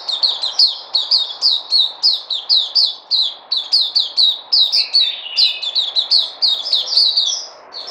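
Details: Captive white-eye known as Puteh, recorded 03/08/2020: energetic high-pitched song of rapid repeated chirps, packed tightly for nearly eight seconds, with a lower rattling phrase mixed in toward the end.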